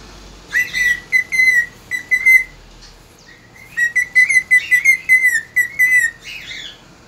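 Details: A cockatiel singing at dawn on 3 September 2019 whistles clear, warbling notes in two runs of short, repeated phrases with slight rises and falls, over a quiet background hiss.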